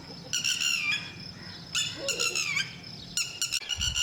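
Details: A lapwing, where both parents protect the chicks until they fly, calls in three strident, fast-stuttered bursts of high piercing notes, some sliding downward. Faint low background noise and a brief muffled thump come near the end.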